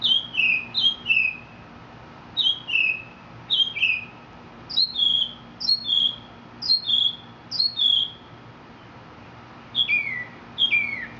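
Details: Mexican mockingbird singing clusters of two or three high whistled notes that slide downward, repeated in a steady series with short gaps, ending in a lower falling pair.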